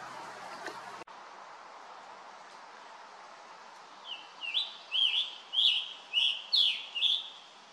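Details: Scarlet tanager singing on the south side trail of Stony Brook Audubon Wildlife Sanctuary, recorded on a Nikon Coolpix P1000 with a Rode VideoMic Pro+. After a quiet spell and one click, eight quick, hoarse, burry phrases follow in steady succession.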